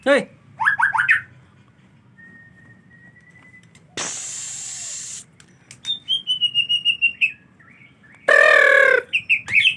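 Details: Rainy-season white-rumped shama, hard to get bathing: rapid rising whistles, a long thin steady whistle, a hissing burst, then bright descending whistled notes and a loud, rich warbled phrase near the end.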